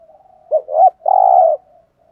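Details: Single phrase from a decoy spotted dove meant to provoke other males: two quick rising, hooked notes, then a long, steady, burry coo, framed by faint soft cooing.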